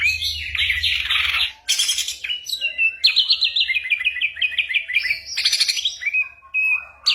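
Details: Ashy drongo imitating a range of sounds, used for training magpie-robins and other songbirds: dense high chatter, then a descending sequence of quick repeated chirps, followed by short whistled phrases.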